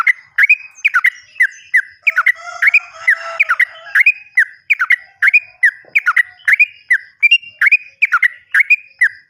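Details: Sooty-headed bulbul song used as a lure to get silent or untrained captive bulbuls singing: loud, bubbly, repeated phrases around two notes, delivered in quick bursts about every half second, with a lower droning sound in the middle.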